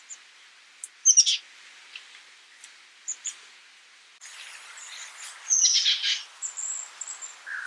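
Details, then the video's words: Oak titmouse giving short high chirps, then a louder burst of harsh, buzzy descending notes; scattered faint chips and a soft hiss of background noise between calls. "Oak Titmouse Bird Sound, Bird Song, Bird Call, Bird Calling, Chirps"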